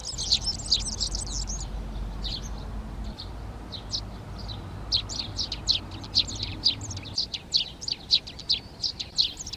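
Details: Garden in Přerov, Czech Republic, 19 March 2020. Eurasian tree sparrows begin occupying three nest boxes. A quick burst of chirps opens, then quieter spaced notes, and the chirping builds again into a busy stream, with a low hum underneath.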